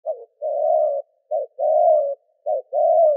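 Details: Spotted dove giving coos and calls meant to provoke wild doves into responding, a low hoarse short note followed by a long steady coo, repeated three times with brief pauses; nothing else heard.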